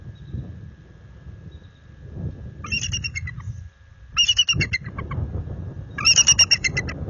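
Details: Resident bald eagle pair back at their nest after dark on February 26, 2022, in full defensive mode after an adult intruder eagle visited, warning it off their territory: bursts of high, rapid chittering repeated roughly every two seconds over rumbling background noise.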